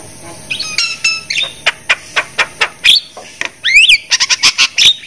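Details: Javan myna, played to prompt silent or reluctant caged mynas into calling: harsh squawking notes and rasping chatter in a rapid series, with a loud rising-falling whistled sweep near four seconds.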